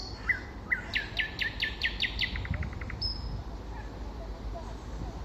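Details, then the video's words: Common nightingale in spring song: two rising chirps, then a fast burst of loud buzzy repeated notes, followed by a run of short dry clicks and one high drawn-out whistle, over low rumbling noise. "Соловей-разбойник 🎧🤣 Nightingale the Robber"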